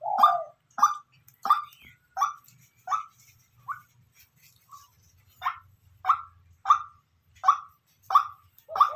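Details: Natural calling of a decoy white-breasted waterhen: a long series of harsh, repeated notes about every 0.7 seconds, a few softer ones midway, faint low hum beneath.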